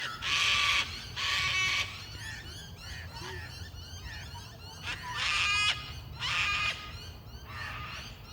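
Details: Two cockatoos give harsh, raspy screeches at dusk among old gum trees in Linear Park, Adelaide, in bursts of about a second with pauses between, over steady chirping from other small birds.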